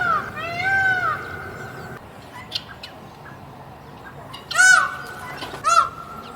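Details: Caged peacock giving loud, harsh, nasal calls rich in overtones: one drawn-out, arching cry at the start, then two shorter bursts near the end, with quiet low background noise and faint chirps between.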